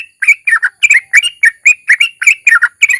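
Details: Sooty-headed bulbul, ropel song with narung used to prompt other bulbuls to call: short, rich, slurred chirps in pairs and triplets, delivered rapidly and unevenly.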